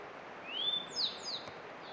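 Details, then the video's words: Grey bunting singing in May 2022, recorded with a Canon EOS R5: a clear whistled note sliding upward and levelling off, followed by two short, higher, downslurred notes, over faint background hiss. "クロジ（Grey Bunting）の囀り"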